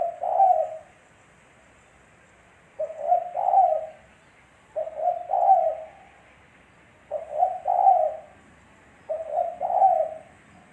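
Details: Repeated song of a Spotted dove heard by day, used to lure birds: five low two-part coo phrases at uneven gaps of about two seconds, each a brief note followed by a rounder, stronger coo.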